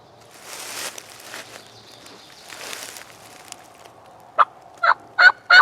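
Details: Young male wild turkey gobbling while strutting near a hunter on public land; soft rustling and hiss give way to four loud, abrupt, throaty gobble bursts in quick succession at the end.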